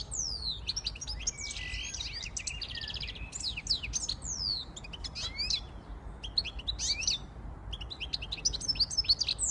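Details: Song of a siskin x goldfinch hybrid: a dense opening of buzzy, rattling phrases, then scattered high chips and twittering bursts with short gaps between them.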